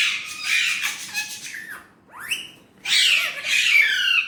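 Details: Indian ringneck parrot talking in Urdu/Hindi, with a continuous gravelly babble, a brief pause and a sweeping upward squeak, then a loud, scratchy, drawn-out phrase.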